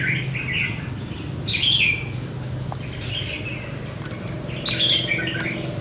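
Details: Red-whiskered bulbul used as a decoy to lure and tame a wild bulbul at a fighting trap; three bursts of bright, slurred whistled phrases spaced about one and a half seconds apart, with low rumbling noise beneath.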